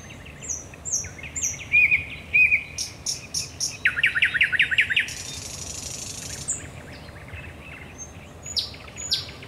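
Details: Nocturnal thrush nightingale song from the Raszyn Ponds, Poland, 10 May 2021: high whistled notes, looping phrases, a loud rapid series of rattling pulses, a harsh rasping burst, then quieter high clicks.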